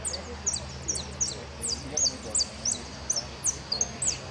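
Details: Jilguero at a singing competition, Irupé Federation cup, 22 02 15, 'blanco sin cierre' entry: crisp high chips and falling slurs repeated rapidly and irregularly, around three each second, against faint low background noise.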